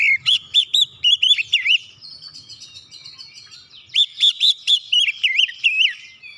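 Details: Oriental magpie-robin song as a lure to make quiet magpie-robins sing excitedly; rapid rows of looping whistled notes about four per second, a lull with a buzzy steady tone, then another fast run of swooping whistles.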